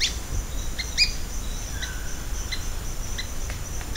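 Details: Ochre-bellied flycatcher giving short, thin chirped notes with a bright upper tone, repeated roughly every half second to second, over a steady high insect hiss and low rumble.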